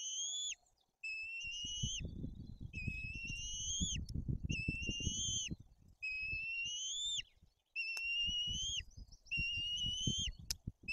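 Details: White-tailed eagle nest in Bory Tucholskie, Poland, during feeding of two chicks with fish and aggression from the older chick; a long series of about eight thin, slightly rising whistled notes in steady succession over low rustling, rumbling background noise.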